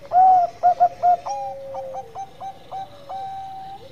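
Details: Lure song of a lively Bangkok zebra dove that prompts other doves to join in: a loud opening coo and three quick pulsed notes, followed by a long level coo broken by softer repeated notes from other doves.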